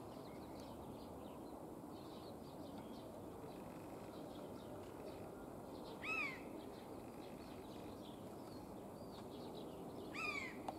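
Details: Eurasian jay trying out its voice and singing: two clear, downward-slurred mewing notes about four seconds apart, rising from a soft background of faint, scattered chirps from small birds.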